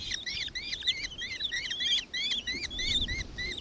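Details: Shrill, rapid kestrel chatter from a nankeen kestrel in Victoria, Australia, 4 December 2024: bent, squealing notes tumbling over one another in quick succession.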